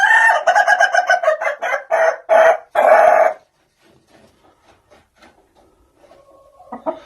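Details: Ayam Ketawa rooster crowing: a fast run of staccato, laugh-like notes, about three seconds of rapid pulses that slow slightly near the end, then near silence with faint distant sounds.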